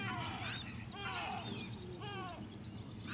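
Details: White-tailed eagle recorded at Grönvik, Ornö on 16 July 2024, giving repeated yelping calls: clusters of falling, ringing notes about every half second over a steady low background hum.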